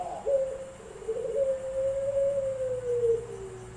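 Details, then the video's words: Puter pelung (Barbary dove) in an online singing contest in Semarang, Central Java, first edition held 7 August 2021; a short rising onset leads into one long, level, drawn-out coo lasting about three seconds that sags slightly at the end, over a low steady hum. "Lomba Puter Pelung"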